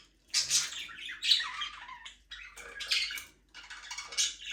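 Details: Budgerigars flying freely in a small aviary make dense, harsh chattering squawks and warbles in long overlapping phrases, broken by short pauses; no music or other sounds.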